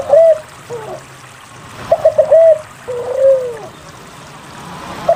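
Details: A frequently singing spotted dove, played as a lure sound to get lazy doves singing. It gives short, clipped mid-pitched coos in quick groups, then a longer coo that slurs downward at the end. Faint low hum behind.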